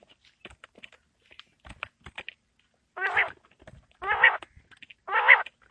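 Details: Winter evening quail call: after scattered soft ticking, three loud, harsh, nasal notes spaced about a second apart.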